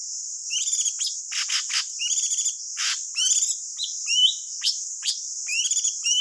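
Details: Trapping lure song of the thanh tước bird: quick chattering phrases, rasping bursts and upslurred whistled notes in an uneven sequence, over constant shrill background noise.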